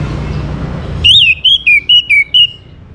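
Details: Orange-headed thrush singing, a recording meant to prompt other birds to sing: after a second of quiet, six clear whistled notes in quick succession, alternating slightly rising and falling slurs with rich overtones, over low background hum.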